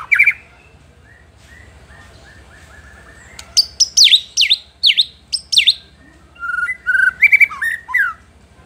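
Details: White-rumped shama singing to stir rival shamas: soft repeated whistled notes at first, then loud, sharp falling whistles and clear slurred phrases, separated by short silences, over a faint low hum.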